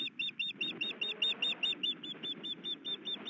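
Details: Nesting osprey in Hellgate Canyon, Missoula, Montana, as the male brings fish and the female broods; evenly spaced high, clipped chirps, roughly two or three each second, over soft low noise.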